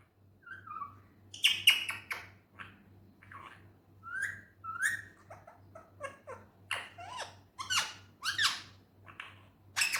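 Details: Indian ringneck parrot mimicking speech indoors: many short, rasping and whistled syllables in quick irregular bursts over ten seconds, some rising, some falling, with a steady low hum underneath.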